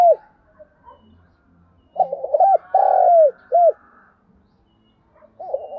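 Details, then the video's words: Spotted dove cooing as a lure call to train and stir up caught doves: soft, hollow arched coos in a quick phrase of four to five notes, with a pause before the phrase starts again, in an otherwise quiet recording. "Tiếng chim cu gáy kích bổi nhanh nổi, Tiếng cu gáy mồi thúc luyện bổi"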